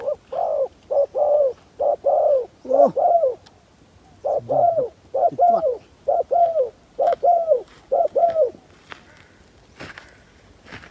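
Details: Decoy spotted dove luring wild doves, cooing rhythmically in repeated short-long pairs of hollow low notes, about one pair per second, the series pausing briefly midway and trailing off into faint background clatter near the end.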